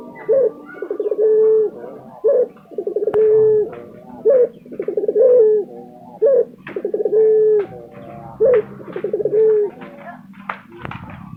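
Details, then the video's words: Caged lutino Barbary dove cooing persistently, low rolling phrases each closing on a drawn-out steady tone, repeated about every two seconds, with faint chirps from other birds near the end. "puter lutino gacor tembus 2 menit"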